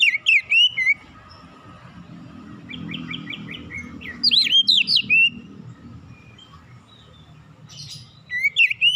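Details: Oriental magpie-robin in relaxed song, meant to lure untrained birds into full song fast; several bursts of quick, bright whistles and sweeping chirps, including a short run of evenly repeated notes, separated by quiet gaps with low background rumble.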